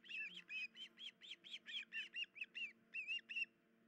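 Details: Injured female osprey and mate at the nest with chicks, 10 July 2019 near dawn; about a dozen evenly spaced, ringing whistled chirps, a couple of slurred notes near the end, then quiet with low hum.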